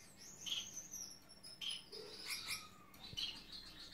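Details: Gouldian finch in a courtship dance while choosing a mate, uttering soft, short, high chirps spaced through four seconds, with a thin hissing note and faint wing flutters in a quiet indoor setting.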